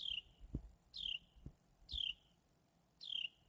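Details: Carolina wren just chirping away, giving four crisp, high descending chirps about a second apart, with a few soft knocks or clicks between them.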